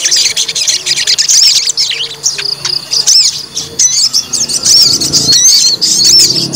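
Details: White-rumped shama, a fighter bird being provoked to test its fighting mettle, pours out a dense, high-pitched song of rapid whistles, trills and sharp upward sweeps, almost continuous with brief dips, over faint low background hum.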